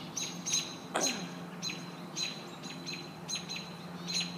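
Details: American robins defending their nest against a hawk; sharp, high chirps repeat roughly every half second, with one loud descending sweep near the start and a steady low hum underneath.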